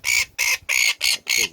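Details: Red-billed tropicbird nestled in a rocky crevice in nesting cliffs on Montserrat's Atlantic coast, West Indies, recorded up close: five harsh, shrill screeching bursts in quick succession, roughly three per second.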